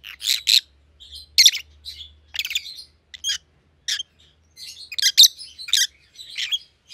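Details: Pet rosy-faced lovebirds of white-headed pallid and green opaline colour forms chirp in short sharp bursts, scattered irregularly, some squeaky and buzzy, with quiet gaps between.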